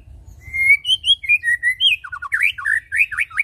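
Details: A white-rumped shama song meant to lure birds into singing: clear whistled notes rising in steps, then a quick string of sharp upslurred and downslurred notes, steady and continuous.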